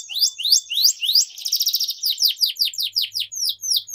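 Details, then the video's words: Long, emotive canary chirping for training young canaries: several upward-sweeping whistles, a quick buzzy trill, then a string of descending chirps repeated roughly four times a second. "Canary Singing Training || Kenari Gacor Panjang Cuit Cuit Emosi, Pancingan Kenari Paud Belajar Bunyi"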